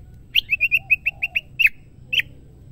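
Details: Female white-rumped shama, a cage bird, calling to a male: a fast run of about nine short, bright chirps, evenly spaced, then two louder, slurred notes after a short pause. Faint low background hum.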